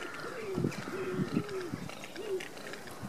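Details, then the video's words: Courting cinnamon teal: short, low, downward-bending nasal notes in a loose run of four or five, separated by brief pauses, against a quiet natural background. "Cinnamon teal courtship"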